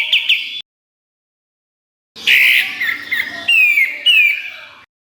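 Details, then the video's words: Varied, scratchy, high phrases from a kapas tembak, a training master for birds such as murai batu, kacer and cucak ijo: a short chirp pair, silence, then squeaky notes and descending whistled slurs. "Masteran Kapas Tembak Gacor Nembak Isian Tajam Full"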